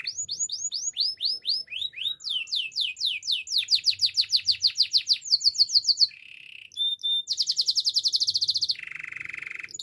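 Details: Training song of a canary: long sequences of rapid descending whistled notes, a short low trill, then a dense buzzy rattle and a lower rolling trill at the end.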